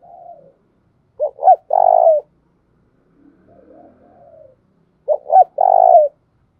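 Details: Spotted dove giving the 'cu thúc' style of cooing during daily voice training: two short quick coos then a longer rolling coo, with a softer, lower murmured phrase before and between.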